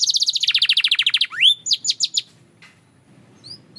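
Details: Belgian canary delivering a fast trill of about twenty quick descending notes that drops slightly in pitch, a rising swoop, several sharp chirps, then near silence with a couple of faint high notes.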